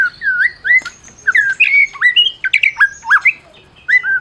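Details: Caged prize-winning White-rumped shama from Medan, its song meant to goad silent shamas into singing; sweet whistled slurs alternate with sharp rising notes and quick high flourishes separated by brief gaps.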